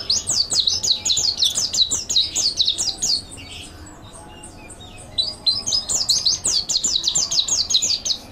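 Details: Mountain white-eye master song for training: two bursts of fast, high, sweeping chirps separated by about two seconds of softer, scattered twitters, the second burst as energetic as the first.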